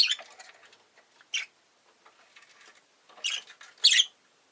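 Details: Rosy-faced lovebird giving harsh, scratchy chirps mixed with rustling and pattering noises, ending in two louder rasping calls.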